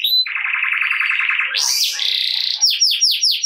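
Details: Lively canary with ngerek-style song to encourage silent canaries: a long low pulsed rolling trill, a sharp rising sweep into a buzzy high trill, then repeated falling whistles.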